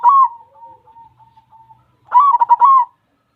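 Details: Zebra dove with white plumage, described as singing very often, gives a loud trilled coo, then a run of soft, steady hums. A second bright burst of quick staccato coos follows after a short pause.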